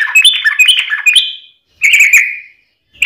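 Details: Sooty-headed bulbul song used as a prompt for caged birds; a fast, bright warbled phrase ending in a sliding whistle, a pause, then a short rising-and-falling whistled note.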